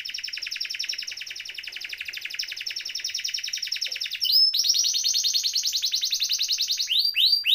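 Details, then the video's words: Canary in lively rolling song, used as a tutor recording to prompt silent canaries to sing: a dense, fast trill for four seconds, then a louder rapid trill ending in sharp upswept notes. "Kenari Gacor Ngeroll Isian Masteran atau Pancingan Kenari Riwikan atau Kenari yang Macet Bunyi"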